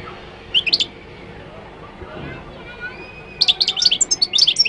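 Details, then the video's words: Singing Moroccan goldfinch: a brief cluster of high chips, a pause of over two seconds, then a dense, rapid run of tinkling, twittering notes that grows louder toward the end. "تغريد الحسون المغربي chant de chardonneret marocain"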